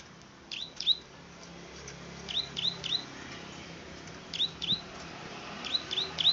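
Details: Plain prinia, or klik-klik bird, with scattered groups of two or three high, thin upslurred clicks over steady background noise.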